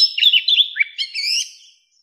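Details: Mature wild Oriental magpie-robin singing to call in wild birds: a brief, slightly blurred sequence of warbled whistles and slurred notes that fades out after under two seconds.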